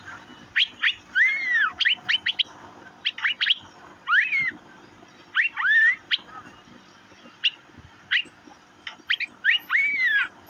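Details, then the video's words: Asian fairy-bluebird, locally called cucak biru, calling with clusters of sharp high chirps and arched whistled notes that sweep up then down, phrases spaced about one to two seconds apart over a quiet background. "Birds Cirphing Master Sound Effect Cucak Biru/Irena Puella"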